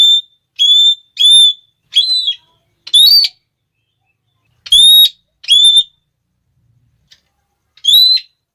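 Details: Red-cheeked parrot (Geoffroyus geoffroyi) giving a call said to stir other parrots into noisy calling: loud, shrill, harmonic 'klee' notes, mostly in quick runs of two or three, with a pause before a final burst. Background otherwise quiet.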